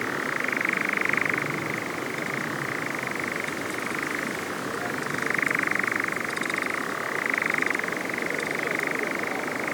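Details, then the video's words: A European nightjar churrs at dusk on 31 July in the Cefn Ddu forestry, Wales, caught by an overnight drop rig: a continuous dry, rapid mechanical trill shifting between two pitches every few seconds, over a soft background hiss. "Nightjars churring at dusk"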